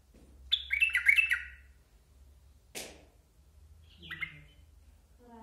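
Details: Bulbuls from Basra: a rapid cluster of bright, bubbly chirped notes lasting about a second, followed by a sharp click-like noise and a brief lower harmonic sound near the end.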